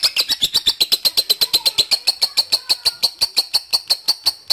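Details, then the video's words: Lovebird calling to a rival, lure sound encouraging long chattering; sharp, metallic chips repeat at a quick, steady pace, about six per second, forming a sustained rattle indoors. "LOVE BIRD MEMANGGIL LAWAN AGAR RAJIN NGEKEK PANJANG"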